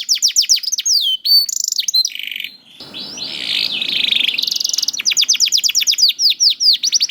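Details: Young caged canary singing, used to prompt reluctant canaries to sing: fast trills of high downslurred notes, a buzzy noisy rattle in the middle, then rapid repeated whistled sweeps.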